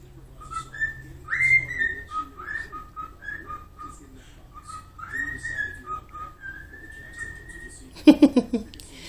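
A cockatiel whistles a tune of clear notes, some held, some sliding upward, traded back and forth with a person.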